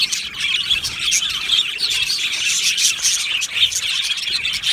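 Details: Budgerigars in an aviary colony, chirping and warbling: a crowded chorus of high, quick tweets, with clearer whistled notes popping out every second or so.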